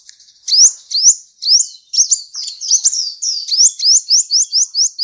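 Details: Sunbird singing as an Indonesian bird-tutoring recording: a fast series of sharp, upward-slurred high chirps, about two per second, becoming steady and evenly spaced toward the end. No other sounds stand out.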